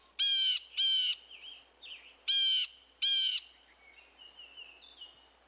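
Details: A single backyard blue jay, sounding angry, gives four harsh, raspy jeer calls in pairs, each about a third of a second, with softer squeaky notes between.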